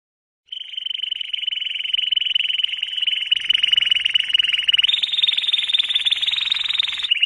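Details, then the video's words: Canary song: a long, steady, buzzy rolling trill of rapid pulses on one pitch. It steps up to a higher, harsher trill partway through and drops back at the end. "Canary Singing"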